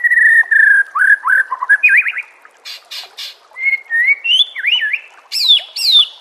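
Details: White-rumped shama master song used to train caged birds, with loud varied whistles, slurred up-and-down phrases and a high sweeping note near the end.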